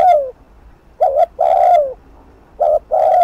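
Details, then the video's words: Fast thúc gù cooing of a spotted dove used to make rivals respond to a decoy: a falling coo, then a short and a long downward coo, repeated at a brisk pace. "Cu gáy Thúc Gù TỐC ĐỘ kích bổi/kích mồi nổi điên gáy ngay"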